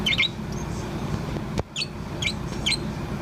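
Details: A Bourke's parrot about four months old, singing continuously indoors, gives four brief, high twittering chirps in about three seconds over a low hum and one soft knock.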